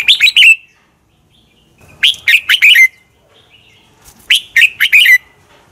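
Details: Contest song of a red-whiskered bulbul, used to train and provoke other birds: three evenly spaced phrases of four or five bright, warbling whistled notes, about two seconds apart, on a clean background.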